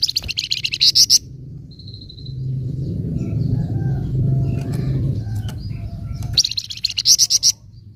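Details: Flamboyan bird nyecret chatter used to provoke untrained flamboyan birds: a burst of rapid shrill buzzy notes, a thin whistle, a long stretch of low rumbling noise, then another rapid high chattering run.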